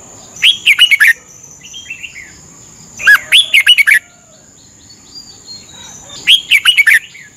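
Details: A red-whiskered bulbul in Thailand, in a training recording played for 30 minutes each morning to help birds learn to sing, gives three bursts of bubbling, rich whistled phrases, each about half a second long and about three seconds apart, over a thin high whine.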